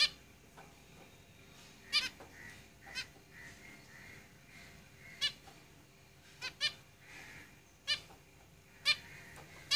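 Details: Sparse, sharp nasal calls from zebra finches in a cage come every one to two seconds across ten seconds, some in quick doubles, against a hissy background.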